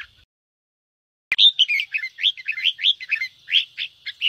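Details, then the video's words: Red-whiskered bulbul singing in the fast 'ché' style, used by keepers to stir other caged birds into singing: after a silent opening and a click, rapid burry warbled notes, rising and falling, tumble out in a dense run. "Chào mào ché kích bổi căng lửa/kích chim yếu lửa nhanh ra âm/Tiếng kích chào mào nhanh ché"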